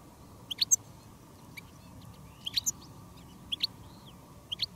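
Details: Decoy goldfinch and wild goldfinches on a field day of bird keeping in the countryside; crisp, high double chirps repeat about every second, with a soft slurred note between them.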